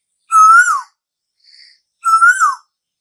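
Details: Two strong whistled notes from an Asian koel calling in summer, each climbing slowly and then falling. A faint high squeak sounds in the pause between them.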